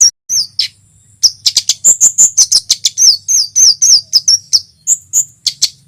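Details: Male olive-backed tailorbird singing loudly, a recording used to lure wild small birds. Sharp, high slurred chirps come in a rapid run, about three per second, after a brief opening pair of notes.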